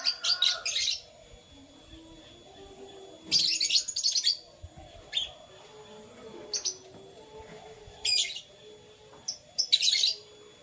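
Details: Morning canary song in brief, bright high-pitched chirping bursts about a second long, separated by quiet gaps, with faint low background murmur.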